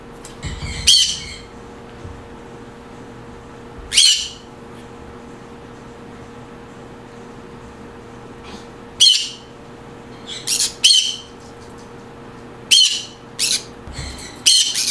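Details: Green conure repeatedly squawking, about nine harsh, shrill screeches over fifteen seconds at irregular intervals, some in quick pairs, over a steady indoor hum.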